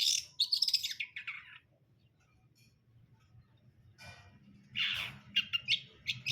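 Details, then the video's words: A long-tailed shrike gives a scratchy run of chattering notes, falls silent for a few seconds, then resumes with loud, harsh bursts. "KICAUAN CENDET BRUNDOL"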